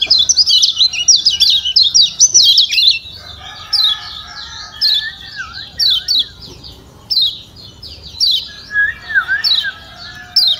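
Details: Lombok yellow white-eye giving a stimulating call for a reluctant singer: dense high twittering at first, then separate sharp downward chirps roughly once a second, with a few softer lower whistled slurs.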